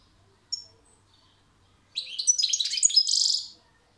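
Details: European goldfinch singing a fast, high phrase of mixed twittering notes that ends in a buzzy trill, after a single sharp chirp near the start; otherwise quiet.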